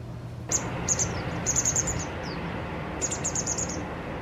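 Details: White wagtail fledgling begging as its parent feeds it, two days before going independent: abrupt high chips, then two rapid runs of five or six sharp, high notes separated by a short pause, over a low steady hum.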